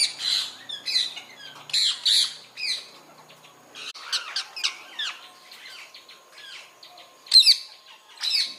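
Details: Indian parrot, a rose-ringed parakeet, heard with natural sound: a rapid jumble of shrill, scratchy squawks and short chattering notes, bunched in noisy bursts with brief pauses between them.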